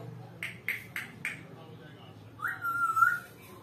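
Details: Pet African grey parrot, known for whistling and talking, producing four quick clipped notes in a row, then after a pause a clear sustained level whistle that rises at its start.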